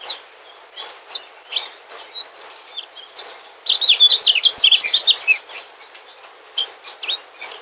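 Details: Mugimaki flycatcher, a migrant bird, singing: scattered high chirps, then a rapid burst of varied twittering, warbled notes around the middle before sparse chirps resume, with a faint hiss in the background.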